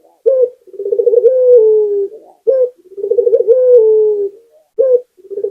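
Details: Energetic local puter dove from Indonesia giving repeated low coos: a crisp opening note, a bubbling pulsed section and a sustained falling tone, separated by short pauses.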